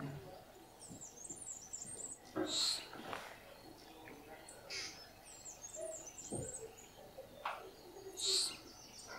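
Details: Inca jay at San Isidro, Ecuador, giving loud, harsh, ringing calls about six seconds apart, over steady high twittering from smaller birds.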